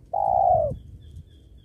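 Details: Spotted dove heard while wild doves are lured for trapping near a sacred tree: one long, smooth coo lasting about half a second, slowly sliding downward, with a soft low rumble behind.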